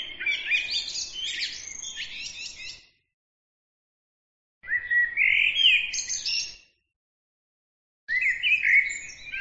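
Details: A bird sings in three bursts of high, busy twittering and chattering with warbled, whistled phrases, including a rising-falling note mid-clip, each burst cut off by complete silence.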